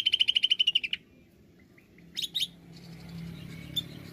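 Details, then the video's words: Greater green leafbird singing 'nembak' style as a lure recording: an opening second of rapid pulsed, high, ringing trill, then quiet with a few faint notes and a brief chattering double burst. "Pancingan AMPUH Cucak ijo nembak"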